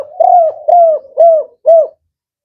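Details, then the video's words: Male spotted dove (tekukur) of the 'Kuk 4' song style, described as firm and rhythmic, likely kept by bird hobbyists: four low, rounded cooing notes at an even pace, about one every half second, in a quiet setting. "Tekukur Kuk 4 Jantan"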